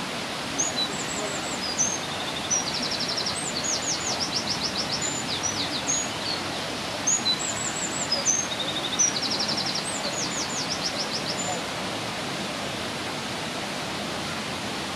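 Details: A Eurasian wren sings beside a waterfall in the Dell, two fast, high bursts of trills and sharp notes, each about five seconds long, loud enough to carry over the steady roar of rushing water.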